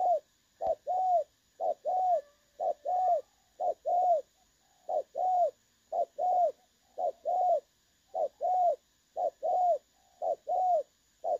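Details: Trapping-decoy recording of a spotted dove's 'đồng son' voice, described as clear, from 16 August 2024. Regular two-part coos, short then long and bowed, run about once a second. The background stays quiet, broken by a faint high tone.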